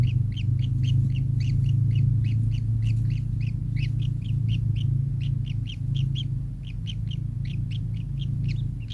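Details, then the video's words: A kingfisher delivers a long, rapid chatter of sharp paired notes, evenly strung about four per second, while a loud low hum runs steadily behind. "burung tengkek"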